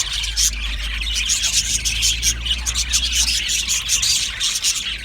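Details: Aviary colony of Australian budgie parrots twittering nonstop, a thick layer of high chirps pulsing rapidly, over a noticeable deep steady hum.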